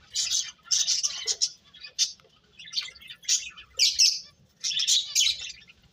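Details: Chirping birds in separate clusters of sharp, high twittering notes, each burst lasting under a second with quiet gaps between them.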